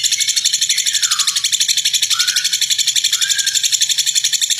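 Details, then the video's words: Lovebird giving a long, rough ngekek chatter, used to provoke other lovebirds into singing: a harsh, high, unbroken stream of rapid notes, about four per second, with slight dips in pitch throughout. "Love Bird Ngeklek Panjang Kasar !!! Pemancing Love Bird"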